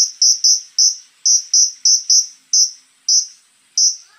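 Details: Scarlet-backed flowerpecker (konin) in harsh 'tembakan kasar' song: a dense run of piercing high notes, often paired, slowing into single shrill notes about half a second apart.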